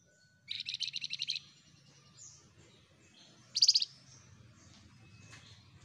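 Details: Flamboyan in vigorous song: a rapid trill of about nine high chirps, a pause, then a brief, louder burst of sharp notes, with faint twittering in between.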